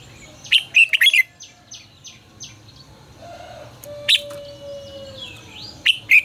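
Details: Red-whiskered bulbul song meant for voice training of caged birds: bright, warbled phrases at the start, middle and end, with faint high repeated notes and a long, steady low tone in between.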